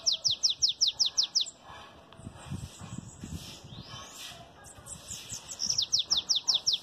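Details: Kept Bananaquit singing in the belga chapado song style: a rapid run of high, thin, descending buzzy notes, about eight in quick succession, then a noisy pause with faint hiss, then the fast sweeping series resumes.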